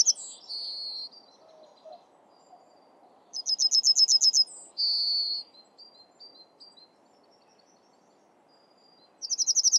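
Yellowhammer singing a fast run of about ten thin, high repeated notes ending in a drawn-out final note, repeated every few seconds over a faint low background rumble.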